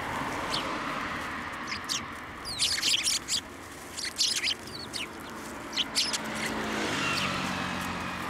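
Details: Several sparrows at a sidewalk curb by a Tenmangu shrine, 11 January 2024, arriving to be fed; brisk clusters of short, high, sharp chirps in quick irregular runs over a steady low hum.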